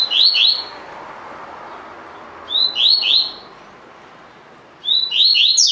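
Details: A double-collared seedeater (coleiro) of the "tui tui" song type repeats a short, bright phrase of sharp, sliding notes roughly every two and a half seconds, with quiet gaps between bursts.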